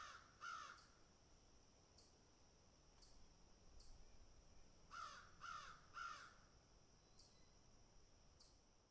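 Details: Crows picking at and eating food, giving harsh, rasping caws: a pair early on, then three in quick succession after a pause, with a steady high-pitched whine and faint scattered clicks beneath.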